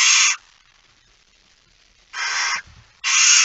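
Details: Barn owls in a nest box at about 22:30 on 13 September 2019; three loud, harsh hissing bursts, the middle one trailing into soft low rustling.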